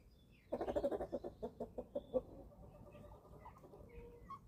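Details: Eleven-week-old chickens at feeding time on a small farm in Germany: a quick run of about a dozen loud, harmonic clucking notes over two seconds, fading to quieter murmurs with faint chirps at the end.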